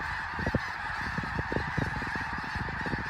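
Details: Thousands of wintering snow geese take off together and fly in unison at Bosque del Apache Wildlife Refuge, New Mexico: a dense, constant clamour of overlapping honks over a strong steady rush of noise.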